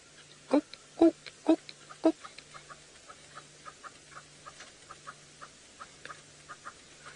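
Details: Red-billed hornbill flying over a safari vehicle during the breeding season at Djuma Game Reserve, Sabi Sand, South Africa, giving its typical call: a series of hollow clucking notes, loud at first, then fading into softer, quicker repeated clucks.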